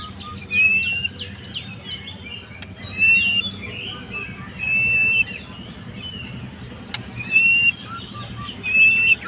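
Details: Fighter-type white-rumped shama singing to provoke a rival: short level whistles delivered every two to three seconds amid softer scratchy notes, with faint low background noise.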